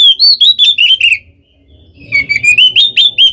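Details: A vocal oriental magpie-robin in its loud fighting song, kept as bait to provoke other magpie-robins into answering: rapid clear whistled notes with high overtones, slurring downward in a run, a pause, then another rising run.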